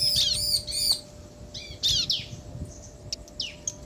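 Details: Male and female bar-winged prinia answering each other: a few loud high chirps open, then scattered fainter sharp notes with pauses between them.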